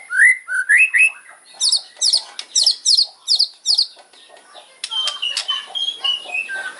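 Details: White-rumped shama giving a loud kretekan fighter song with sharp fill-ins aimed at rivals: a few upslurred whistles, then a fast series of harsh, buzzy high notes, followed by softer varied chirps.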